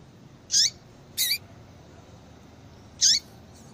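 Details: Female yellow-bellied seedeater calling to get a male singing: three short, high, bright notes, each ending in a quick downward slur, the last after a longer pause, over a faint steady hiss.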